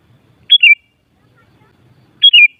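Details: Sooty-headed bulbul uttering a pair of brisk bubbly phrases under two seconds apart, each starting high and tumbling down in a few liquid notes.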